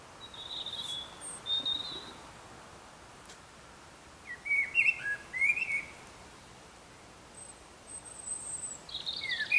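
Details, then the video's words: A common blackbird sings in the early morning while still dark, giving brief, sliding mid-pitched phrases with scratchy ends, while a European robin adds thin, high, tinkling strains in the background. "Mustarastas laulaa aamulla ja taustalla laulaa punarinta"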